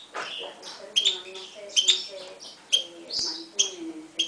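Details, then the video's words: Himalayan goldfinch and canary mule, 2011, singing alongside a Timbrado canary. Clipped high notes repeat roughly every three quarters of a second, between softer twitters and low tonal murmurs. "Mule 2011 Himalayan Goldfinch vs canary timbrada"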